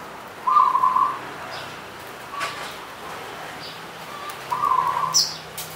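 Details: Zebra dove (local perkutut, punden type) singing on the slopes of Mount Slamet in Banyumas. Two short bursts of rapid, stuttering mid-pitched coos, about four seconds apart, with a faint high chirp near the end.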